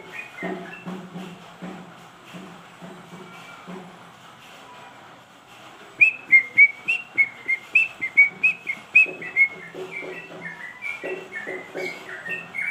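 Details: Trucuk bulbul, a songbird kept at home or for contests, gives a loud run of about a dozen sharp, whistled notes in the second half, each note quickly repeated. A quieter low pulsing comes before it.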